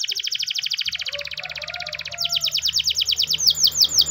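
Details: Spanish Timbrado canary singing in the morning, a training song: fast metallic trills of repeated notes, a dense rattling roll giving way to clearer, louder downward-swept notes repeated several times a second.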